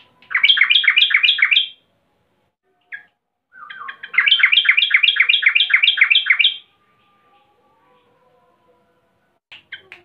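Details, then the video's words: An agitated female Yellow-vented Bulbul calls to a male in two long bursts of rapid, bubbling chatter, with brief quiet gaps between them. "Trucukan BETINA NGAMUK GARUDA memanggil JANTAN"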